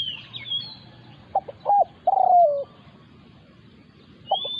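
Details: A wild resident spotted dove takes on a decoy bird during luring. A single coo phrase of two short notes and a long, descending, burred note is heard. A second phrase starts just before the end, with faint high whistles at both ends.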